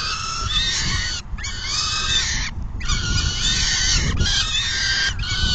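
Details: During an afternoon feeding at a peregrine falcon nest, June 10, 2022; drawn-out grating wails about a second long follow one another with short breaks, some ending in a falling slur, low rumble underneath.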